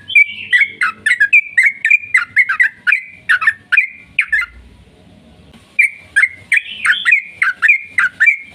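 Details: Yellow-vented bulbul delivering a long, lively song used to prompt others to sing. Rich, gurgling whistled notes run for four seconds, pause briefly, then return in an equally busy burst.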